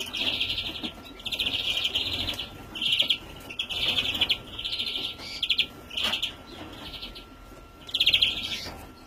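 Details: Young European greenfinch, recorded in 2017, giving fast, buzzy trilled calls in short bursts about every second, high-pitched and insistent, over a faint steady hum.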